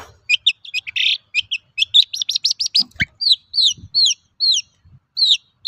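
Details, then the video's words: Long-tailed shrike singing, used as a lure to prompt other shrikes to sing; varied chattering song of quick repeated chirps, a fast ladder of rising notes, then evenly spaced down-slurred whistles, with a faint knock in the background. "Suara burung cendet gacor untuk pancingan cendet bahan"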